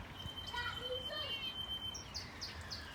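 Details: Azure tit (Cyanistes cyanus), bred in an aviary and flying free in a villa garden, gives a thin, high whistle, then a quick run of four bright, rising chirps while a person talks quietly in the background.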